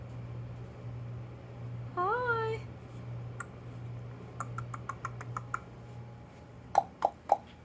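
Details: Male pet parrot indoors in the living room, Hilton Head Island, South Carolina, makes a run of dry tongue clicks, then three sharp louder clucks, over a steady indoor hum and a brief rising voice.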